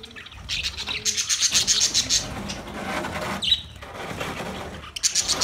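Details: Caged budgerigars in a large master cage, recorded 9 March 2024, giving dense, scratchy high chattering in bursts, with a softer spell near the middle and low cooing and rustling behind.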